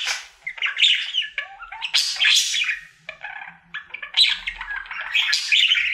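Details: Pet budgerigar, a male, happily singing his daily routine indoors: a busy chattering warble of raspy squawks, clicks and brief whistles mostly between 1 and 8k, in bursts separated by short pauses.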